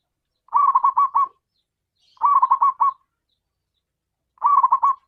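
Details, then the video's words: Zebra dove, a local bird with a big voice, calling in three similar bursts of quick, trilled coo notes spaced roughly two seconds apart, with silence between them. "perkutut lokal suara besar memanggil"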